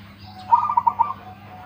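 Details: One phrase from a local zebra dove with a big voice: about six quick, mellow coo notes tumbling together in half a second, over a quiet low hum.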